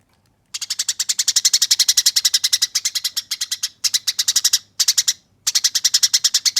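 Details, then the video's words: Eurasian tree sparrow fighting, giving rough yet clear rolling chatter as training audio: a three-second stream of rapid buzzy chirps, followed by shorter rattling bursts split by tiny gaps. "Masteran Burung Gereja Tarung Ngeroll Abis Nyerecet Kasar dan Jernih"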